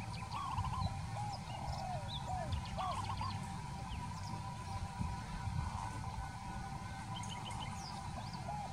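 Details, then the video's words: Peaceful dove uttering a quick series of trilled, bouncing coos early on, followed by quieter notes, over a hissing, rumbling background with distant high bird chatter. "Peaceful Dove - นกเขาชวา"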